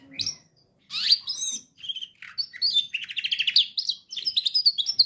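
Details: A canary sings for training other canaries: a few separate sweeping whistles, then a rolling run of repeated notes speeding into rapid chirps near the end.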